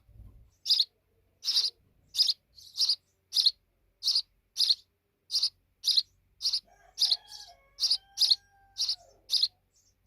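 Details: Grown sparrow babies chirping steadily, short high notes spaced roughly every half second to second; faint thin lower whistled tones drift in during the last few seconds.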